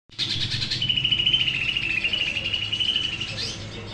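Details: Greater green leafbird (cucak ijo), a prospect bird ready to serve as a vocal tutor, singing: an opening burst of high chirps, then a long rapid trill held near one pitch for about two and a half seconds, ending in a short rising note over a low background hum.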